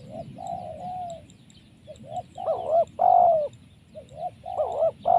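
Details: Wild spotted dove caught by trapping, prized for a very powerful voice: hoarse, rolling coos in two- and three-note phrases, the loudest notes rising then falling, repeated in quick bursts over a low background rumble.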